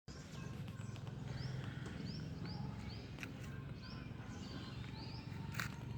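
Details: Birds chirping in a pleasant natural setting: short, high upslurred chirps repeated every half second or so over a steady low rumble of background noise.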